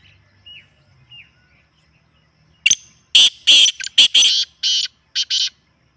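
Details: Black francolin, played for fanciers to prompt a kept bird to call: two faint thin chirps, then a loud harsh phrase of about seven grating, buzzy notes in quick uneven succession.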